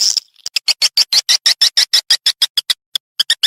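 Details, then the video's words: Swiftlet response call: a brief twitter, then a fast, regular string of sharp clicking pulses, pausing briefly before a few more clicks. "Suara Walet respon"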